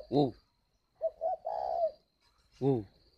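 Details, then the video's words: Caged spotted dove at a bird farm in Ba Vì, Hanoi, Vietnam, giving a calling coo: two short mellow notes, then a longer drawn-out coo. A man's voice says 'ô' just before and after. "Gáy gọi Hậu 1"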